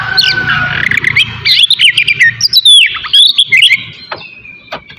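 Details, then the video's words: Singing Oriental magpie-robin, from a morning therapy meant to provoke emotion and breeding urge in magpie-robins. Quick twittering notes and curling whistles ride over a low rumbling background, with scattered clicks near the end. "TERAPI PAGI COCOK BUAT MANCING EMOSI DAN BIRAHI KACER SUPAYA CEPAT GACOR DAN BUKOR"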